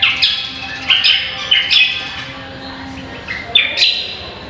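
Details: Songbird training recording of a cucak kombo: a few loud slurred whistles and squawky notes, spaced about a second apart, fading into a quieter stretch with a faint low hum beneath.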